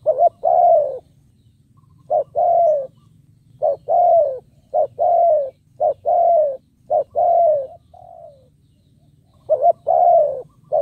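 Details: Spotted dove kept as a decoy, calling to lure wild doves: clear hooting coos in short-long pairs, repeated in bursts with a brief pause and a soft falling note midway, low hum behind.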